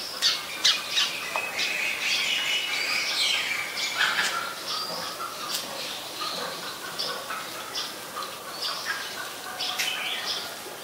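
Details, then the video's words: Oriental magpie-robin singing, Ubon Ratchathani, Thailand, 26 December 2020: an irregular, high run of bright whistles mixed with scratchy, squawking notes, with faint chirps behind. "นกกางเขนบ้าน Oriental Magpie Robin (singing)"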